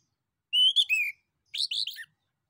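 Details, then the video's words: Lively male orange-headed thrush singing to draw replies from other birds: a clear whistled phrase sliding up then down, a pause, then a shorter, more buzzy and jumbled phrase of rapid notes. "SUITAN ANIS KEMBANG JANTAN DAN PANCINGAN ANIS KEMBANG GACOR"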